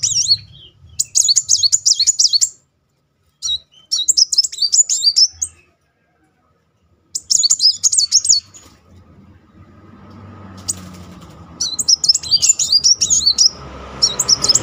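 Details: Sunbird (kolibri muncang) singing a rolling song to trigger emotion in a stalled bird; repeated bursts of fast, high, chattering warbles broken by silences, with a hiss of noise near the end.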